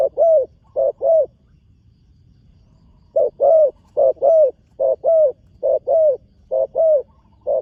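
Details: Spotted dove, a new young bird trained on a competition ground for the first time, giving paired coos, short then long and gently falling, in a burst, a pause of two seconds, then a steady run of pairs.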